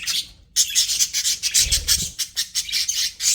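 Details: Pet budgerigars sing a harsh, grating warble of rapid pulsed rasps and chirps, rising straight out of a brief silence and running on nonstop, with a soft low bump midway.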